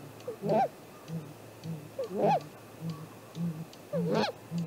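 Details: Great grey owl calling near its nest on a spring morning, 7:15 am, 2 April 2018, picked up by a nest camera: three rising-falling whoops about 1.7 seconds apart, with low pulsing hums between them.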